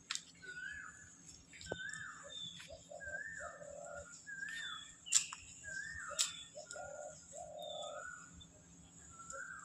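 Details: Baby Alexandrine parakeet calling: clear mid-pitched notes, some sliding downward, alternate with lower short bursts in uneven runs, broken by a few sharp clicks and a faint steady hum.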